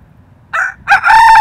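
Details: Silkie chicken, possibly a rooster though first thought female, crowing loudly: a brief harsh syllable, a short gap, a rising note, then a strong sustained harmonic tone held to the end.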